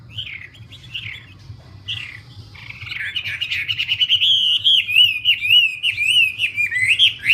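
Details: Wambi bird starting with a few soft separate whistles, then breaking into a loud, continuous warbling song of rapid rising-and-falling slurred notes for the last four seconds.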